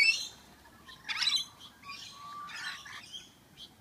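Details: Rainbow lorikeets bathing and squabbling in a garden birdbath give scattered, high, scratchy chirps and short screechy bursts. Each burst lasts about half a second, with quiet gaps between them.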